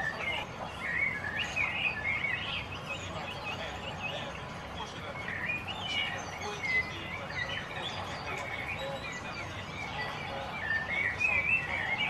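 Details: Budgerigars (Melopsittacus undulatus) chatter nonstop in a busy stream of high, scratchy chirps and warbled twitters.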